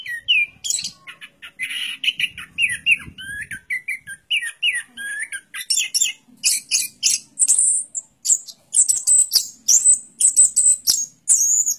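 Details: Varied, rambling song of an orange-headed thrush: warbled, wavering phrases at middle pitch giving way to a fast string of piercing high whistles and chips, with brief pauses between bursts.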